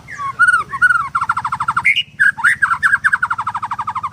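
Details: Captive white-rumped shama at a bird farm in Kendal, singing in the sharp 'nembak' style: loud, rapid strings of repeated clipped notes, broken by a few higher slurred whistles.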